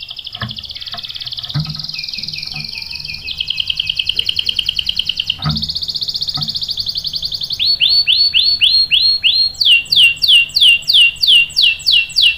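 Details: Lure song of a canary meant to make others answer with long rolls: a string of changing tours, from buzzy high trills and a lower rattling roll to loud, clear, downward-sweeping whistled notes repeated evenly near the end.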